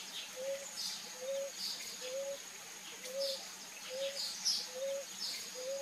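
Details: A ruddy ground dove, bathing, repeats a short rising coo seven times at an even pace of just under one per second; scattered high twittering birds and a continuous shrill background tone accompany it.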